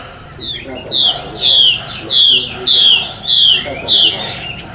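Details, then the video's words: Wild female Hwamei calling in the forest during the breeding season to lure males: a run of six clear, downslurred whistled notes spaced about half a second apart, over a steady thin high tone and faint background rustle. "Họa mi mái trùy hay trong rừng dụ trống hót hay"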